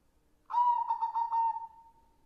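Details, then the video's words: Song of a white, red-eyed zebra dove: one bright cooing phrase made of quick throbbing pulses, easing into a long, fading, level note. No other sounds. "Suara perkutut putih gacor / perkutut putih / suara perkutut / perkutut mata merah"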